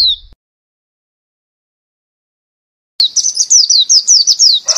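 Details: Female Oriental white-eye giving a single short chirp, a pause, then a quick run of high, thin, falling chirps, about four or five per second.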